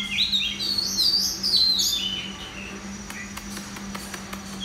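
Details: Red-whiskered bulbul competing in a central Vietnam song contest: a fluty warbling phrase for about two seconds, fading into faint clicks and near silence, with a steady low hum.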